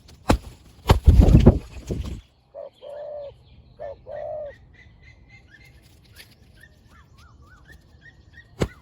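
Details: Spotted dove, one of a fierce pair used in decoy luring: two hoarse mid-pitched coos after loud rustling and knocking, with faint thin whistled chirps of small birds in the background.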